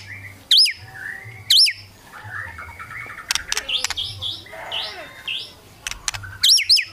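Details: White-rumped shama song meant to rile rival birds: a few loud curling whistles spaced about a second apart, then softer chatter and clicks, and the curling whistles return at the end.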